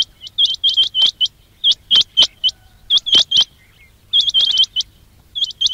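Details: Quail calls for luring quails in trapping: sharp, high hooked chirps in quick bursts of two to five, with short pauses between groups, over a faint low hum.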